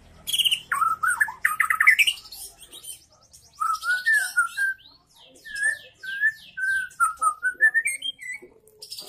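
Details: Caged young speckled white-rumped shama used as a lure bird, singing varied phrases: loud harsh chattering bursts first, then clear whistled slurs and sweet notes separated by short pauses.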